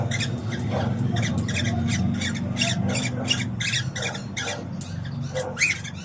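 A cockatiel gives a rapid series of short, scratchy squawking chirps over a steady low room hum.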